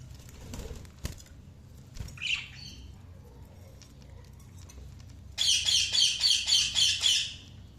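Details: Budgerigar chirps: one short squawky note, a pause with faint rustling, then a fast run of about six bright, scratchy chirps in quick succession.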